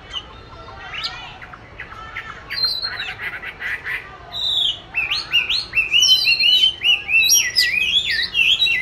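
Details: Captive oriental magpie-robin practising its song, hung in a favoured place; recorded 22 March 2021. Soft scratchy twitters open, then grow into loud, rich warbled whistles with sharp upslurs during the second half.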